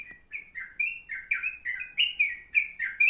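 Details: Yellow-vented bulbul song, offered as tutor material for sooty-headed bulbuls: a brisk run of short chirpy notes repeated about three times a second, each with a thin high tick above, in a quiet setting.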